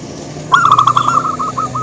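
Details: Local zebra dove song used to prompt other doves to sing: a sudden, quick bubbling sequence of hooked coo notes, slowing slightly toward the end, over a low steady background hum.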